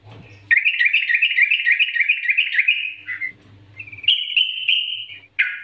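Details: Yellow-vented bulbul song used as a lure to get other bulbuls singing: a loud, bubbly run of quick chattering notes, then a brief pause and a shorter, steadier whistled phrase with a final sharp note.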